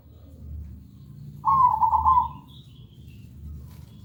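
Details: Perkutut (zebra dove) lure song for encouraging birds to sing: a single loud, rolling, trilled coo phrase lasting about a second, over a soft low hum.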